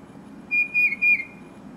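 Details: One loud phrase from a tufted titmouse, heard with a Carolina wren nearby: three quick, pure whistles slurring gently downward, over a soft low hum.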